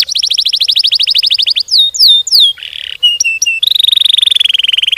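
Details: Domestic canary in full, long-running song at fast tight speed, meant to stimulate other canaries: rapid descending note series, loud downward-swept whistles, a harsh burst, then a steady fast buzzy trill.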